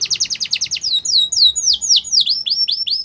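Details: A Yorkshire canary sings for song training: a fast, even trill of short notes, then slower, drawn-out whistles that slur downward, one after another.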